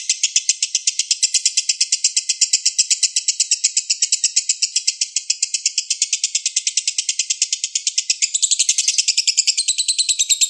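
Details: A long master song from a young balibu lovebird, meant for songbirds to imitate: relentless quick chirps in a high buzzy band, turning shriller and more intense near the end.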